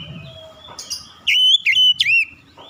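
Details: Oriental magpie-robin giving a short phrase of three loud whistled notes, the first rising, the others dipping and swooping, preceded by a quieter thin whistle and soft low background rumble.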